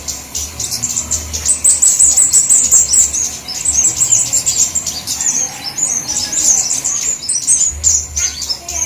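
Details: Flowerpecker lure call from a compilation of all kinds of flowerpeckers: dense, very high, thin chirps and short trills pour out almost without pause, a sharp twittering chatter over a faint low hum.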